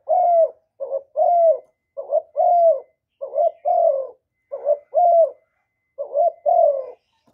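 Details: Spotted dove calling and cooing, recorded directly with no background noise to stimulate males: a steady run of low, hoarse coos, each a short note followed by a longer falling one, repeated in pairs about every second.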